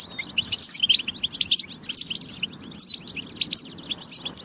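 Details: Singing European goldfinch in a training recording for goldfinches: bursts of bright, high chirps and buzzy twitters in quick runs, separated by brief pauses.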